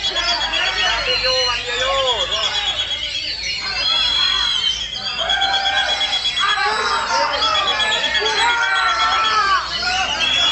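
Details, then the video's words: An Oriental magpie-robin (kacer), apparently a singing-contest bird, pours out a non-stop rich song of sweet whistles, rising and falling slurs and scratchy notes with little pause. "KACER THE FLY SUPER ISTIMEWA MATERI TUMPAH"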